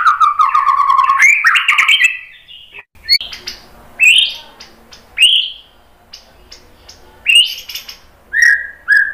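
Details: White-rumped shama lure song aimed at provoking other birds: an opening run of rapid varied warbling, then single bright whistled notes and short phrases spaced about a second apart.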